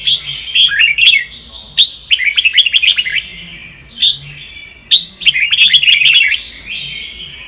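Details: Caged red-whiskered bulbul of the Sông Kon strain, kept for voice training, delivering two lively bursts of rapid warbling chirps with sharp note onsets, separated by a short gap and a drawn-out whistle.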